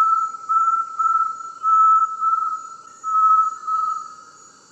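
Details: Song of the Inhambu-serra tinamou, a smooth, unchanging whistled note repeated in loud swells and short breaks, fading at the end, with a steady faint high hiss in the background.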